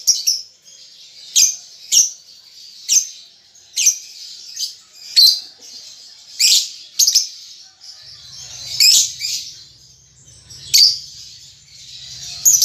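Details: Juvenile lovebird practising ngetik and ngekek chatter. Short, scratchy, high chirps come singly at irregular gaps of about a second or two, with a faint low hum in the second half.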